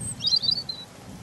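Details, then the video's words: European robin song fragment: a brief dense twitter of high, fluttering notes ending in a thinner trailing whistle, with a low rumble underneath. "Ласковое пение Зарянки(малиновки)"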